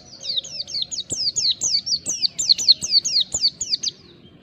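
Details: Fast, energetic song from a ngalas mountain white-eye: a steady tumbling run of high, sharp whistles, each sliding downward, delivered about four per second before fading out.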